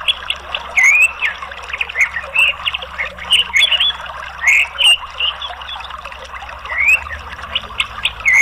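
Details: Orange-headed thrush (anis merah) song used as therapy to stimulate a reluctant bird to sing: loud, clear whistled phrases with rising slurred notes, separated by short pauses, mixed with softer chattering and a faint low hum.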